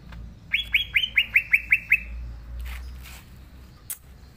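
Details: Green leafbird singing energetically: a burst of eight quick, evenly spaced whistled notes that dip and flatten, followed by faint clicks and a brief sharp tick.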